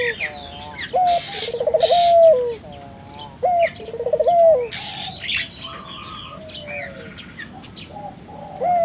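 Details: Lively puter dove calling as a lure to set local doves calling: rolling, bubbling trilled coos followed by a drawn-out coo, repeated twice, with sparrow-like chirps from other birds and a steady high whine behind.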